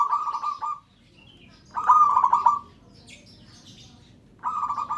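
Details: Local zebra dove calling to prompt others to join in: three bursts of quick, bubbling coo notes at a steady mid pitch, separated by pauses, with soft chirping of other small birds between.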